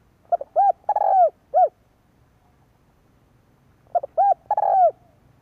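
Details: Spotted dove call meant to stimulate decoy birds: two matching phrases about three seconds apart, each a short stutter, a rounded hoot, a long falling coo and a closing hoot, with a faint low hum beneath.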